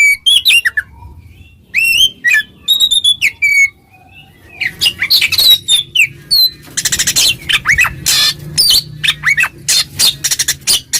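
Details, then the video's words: Oriental magpie-robin delivering ngeplong song to summon an agitated rival; clear rising whistles at first, then after a pause a long, dense stretch of harsh, scratchy chattering notes mixed with whistles, rapidly repeated. "suara burung Kacer NGEPLONG memanggil lawan, lawan EMOSI seketika"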